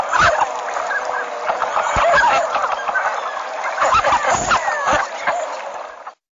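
Canvasbacks in a busy chorus of soft, overlapping coos and clucks, several per second, with occasional louder bursts from nearby birds.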